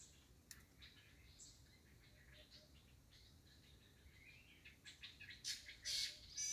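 A shama gives scattered high, whistled and chipping notes, faint at first, then louder, sharper phrases in the last second or so.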